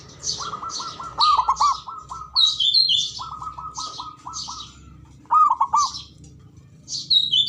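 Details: Local male zebra dove giving its call: soft, rapid staccato coos strung into rolling phrases, repeated several times, while higher bird chirps sound in the background.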